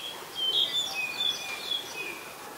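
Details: Black-collared starling (Black-collared myna) in Ubon Ratchathani, Thailand, 10 November 2021: a few thin, high whistled notes and short slurs, some flat and some sliding downward, over a steady hiss of background noise.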